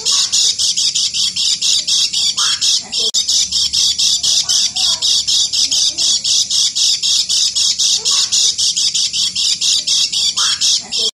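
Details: Sustained ngeker song from a lemon-bellied white-eye, made of rasping high-pitched notes repeated about four per second, with a short pause midway and occasional faint rising whistles in the background.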